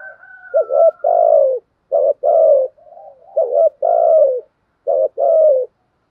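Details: Spotted dove in the thúc and gù call styles: three paired coos, each a short wavering note followed by a longer, falling, hoarse coo, with a faint thin whistle in the first second.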